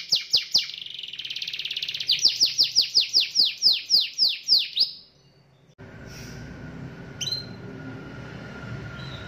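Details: Canary singing to provoke a rival into answering: rapid run of sharp downward-slurred whistles accelerating into a dense series, then breaking off into a pause, followed by a steady hum of background noise and one or two faint short notes.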